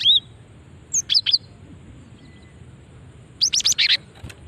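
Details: Female cinereous tit calling to lure other birds of its kind, described as quick to draw a response; short bursts of high chirps with a falling whistled note, two bouts about two seconds apart, faint background hiss.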